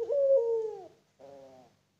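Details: Farm-bred puter pelung Barbary dove, a type kept for its long coo. A loud, smooth, low coo is held for nearly a second and falls away slightly, followed after a short pause by a softer, shorter second note.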